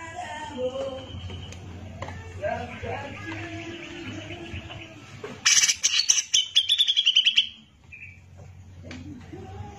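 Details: Cucak jenggot, the grey-cheeked bulbul, singing for a tutor recording. After faint softer chatter, a loud harsh burst and a rapid sequence of sharp repeated notes rise above a steady low hum.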